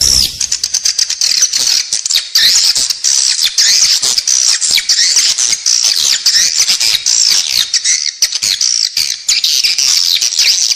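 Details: A steady, unbroken stream of shrill, wavering chirps and buzzy twitters from edible-nest swiftlets, with fast clicks throughout; a lure sound for use inside a swiftlet building.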